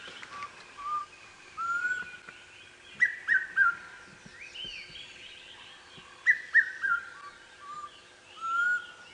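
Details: An unseen Black Cuckoo calls from just overhead at sunrise, 4 November 2016, in northeastern South Africa. Its drawn-out, mournful whistles are likened to "I'm so sad", mixed with brisker three-note whistled phrases from another bird and light chirping.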